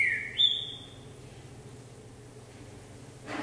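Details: Green-winged saltator on a hopping perch, exercising for vigour and stamina: a single loud whistled phrase of two falling, sliding notes near the start, then quiet with a steady low hum beneath.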